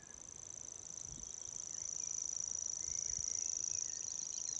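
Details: Common grasshopper warbler singing at Maridalen, Oslo, on 1 June 2022: an unbroken, high, insect-like reeling trill held on one pitch throughout and slowly growing louder. Faint chirps of other birds sit underneath.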